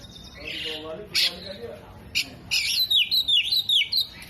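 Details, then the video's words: Oriental magpie-robin singing in full voice, its song including mimicry of hummingbird, other birds and lovebird; a soft warble, then sharp high chips and a fast series of rising and falling whistled notes repeated about every quarter second. "KACER GACOR BUKA EKOR TEMBAKAN KOLIBRI, JENGGOT DAN LOVE BIRD"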